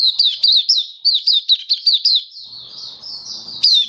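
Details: Caged Oriental white-eye (mata puteh) of the Kitaro type singing on its seventh day of a song booster test, October 2022: rapid high twittering notes, rising and falling sharply, in quick bursts, then a softer thin warble with faint low background noise.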